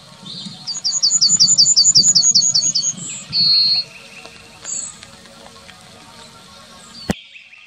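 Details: Yellowhammer singing in the town of Wittlich, Germany, in 2019: a quick series of about a dozen high, even, chirping notes, then a drawn-out, higher whistled note, with a few fainter calls afterward and low background hum.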